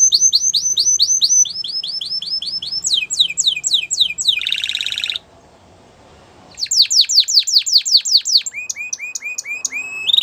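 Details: Canary performing repeated series of fast sharp notes, a loud buzzy trill, a brief hush, then rolling tours of descending notes ending in rising whistles.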